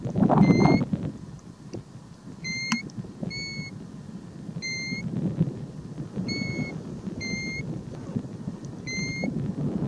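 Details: European golden plovers on the Hardangervidda mountain plateau, Norway, give clear, mournful single whistles, level or gently falling in pitch, about seven in ten seconds, over a steady low wind rumble.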